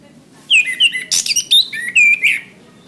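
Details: Orange-headed thrush singing, recorded for training caged birds: a fast sequence of sweet whistled notes, some sliding downward and others warbled, mixed with a brief harsh burst midway, in about two seconds of continuous song.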